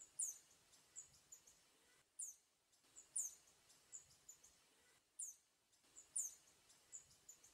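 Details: Gilt-edged tanager in the wild giving very high, thin descending notes, each followed by softer short high notes, repeated roughly once a second with brief pauses, against quiet natural background.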